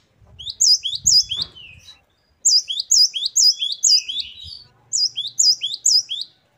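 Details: Great tit (gelatik batu) in showy varied song: three runs of loud, looping high chirps, each note curling upward, repeated quickly with short gaps between runs; faint low bumps and hum now and then.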